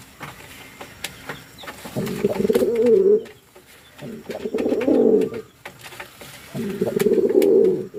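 A fantail pigeon gives three low, throaty, rolling coos, each about a second long, with short pauses between; a faint room hum sits underneath.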